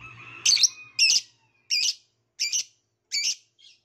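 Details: Violet lovebird chirping: five sharp, harsh, high-pitched chirps at roughly 0.7-second intervals, each short and buzzy, followed by a fainter sixth note, with a low hum briefly under the first chirp.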